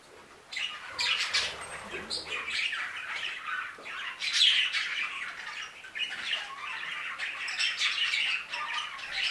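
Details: A budgerigar flock kept in an aviary, its busy high chatter rising and falling in bursts of chirps and warbles, somewhat quieter and more distant.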